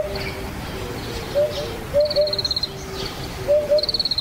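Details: Eurasian hoopoe (Upupa epops), a vagrant in the Yatsugatake foothills, Japan, giving soft, low, hollow hoots in short runs of two or three, while another bird adds rapid, high stuttering trills.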